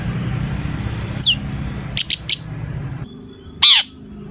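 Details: Energetic Long-tailed shrike song full of mimicked sounds, used to draw other shrikes into song. One falling note, a quick burst of three clipped chirps, then a louder harsh note, over a background hum.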